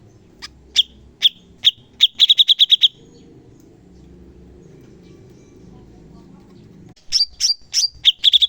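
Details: Training recording of a cucak cungkok bulbul's sharp 'shot' song: spaced piercing clipped notes, then a rapid burst, a pause filled with low background rumble, then another volley of loud sharp whistles.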